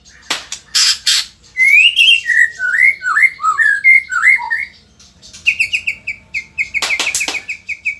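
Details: Varied song of an Indonesian white-rumped shama: two harsh bursts open, followed by a lilting run of short whistled warbles, then a rapid string of identical high clipped notes broken by loud harsh bursts.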